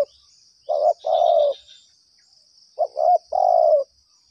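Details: Spotted dove lured during trapping, calling persistently; two clear cooing phrases, each a clipped pair of notes followed by a drawn-out warbling coo, separated by a pause of over a second, against a thin high background hum.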